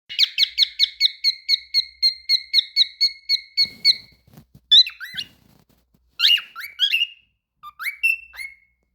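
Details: A cockatiel (Nymphicus hollandicus) sings a fast run of repeated whistled notes, then sharper rising and falling whistles.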